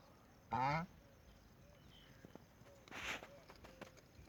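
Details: A duck kept at a house gives one short, nasal, harmonic quack that rises slightly, followed by a fainter, softer call a few seconds later over quiet background noise.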